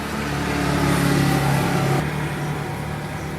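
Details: A car engine revs and drones in an urban street setting, its low rumble rising then settling, with no animal sounds heard.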